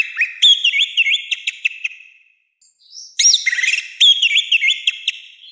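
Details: Orange-headed thrush in loud song: a quick series of clear, looping whistled notes, a pause of about a second, then a sharp rising note and another run of bouncing whistles.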